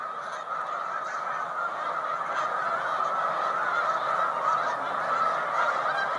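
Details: Snow Geese, mostly white morph with some blue morph birds, rest in large rafts on Cayuga Lake, New York, in spring migration, 20 March 2021; a steady surge of overlapping high honks fills the scene.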